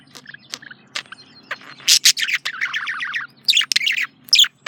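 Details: Male budgerigar, a pet parakeet, chirping: scattered sharp clicks and short chirps, then a rapid run of scratchy warbled notes, followed by louder harsh squawky chirps near the end.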